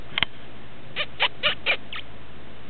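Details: Female quaker parrot kept as a pet, playing under the bed covers while her owner talks to her: five short, harsh, raspy squawks spaced about a quarter second apart in a quiet room.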